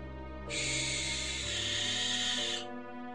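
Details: A Barn Owl at night gives a single harsh, hissing screech lasting about two seconds, over soft background music.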